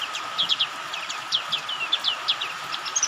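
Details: White-eye lure call mixed with rain sounds, meant to prompt caged white-eyes to open their beaks and sing: quick, high twittering chirps in rapid bursts of two or three notes, over a steady hum and soft rain-like hiss.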